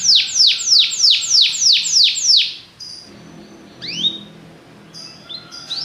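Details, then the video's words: Belgian canary delivering a series of loud descending whistled sweeps, roughly three per second, then a pause followed by scattered rising chirps and short high notes. "espetacular canto canário belga"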